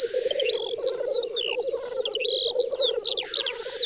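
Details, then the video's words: Lekking black grouse on a spring field in western Russia, 9-10 May 2019; a low rolling bubbling drone persists while higher drawn-out whistles and slurred notes dominate above it. "Тетерев-косач токует"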